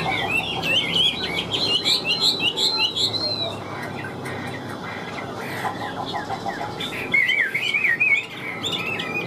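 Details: Chinese hwamei, a wild-caught bird said to sing loudly with a strong voice. It delivers a fast jumble of rich whistled notes, then a quieter pause with soft background noise, and finishes with a burst of rolling, warbled phrases.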